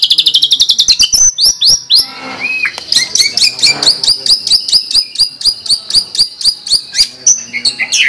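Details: White-rumped shama (murai batu) song in energetic 'gacor' style, full of 'tembakan' bursts, used as a master recording to train other birds. It opens with a fast run of sharp repeated high notes, then varied whistles and rapid rhythmic chip series.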